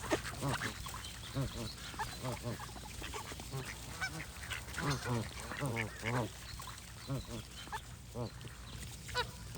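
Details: A group of geese honking almost continuously, overlapping nasal arched calls coming in clusters, some close and loud, others distant, over a low steady hum.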